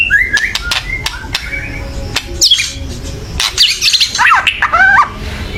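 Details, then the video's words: Agitated white-rumped shama calling to provoke singing: scattered short whistles early, then a dense burst of harsh high chatter and bouncing slurred notes near the end, with loud clicks interspersed. "kretekan keras murai / menaikan emosi agar bunyi"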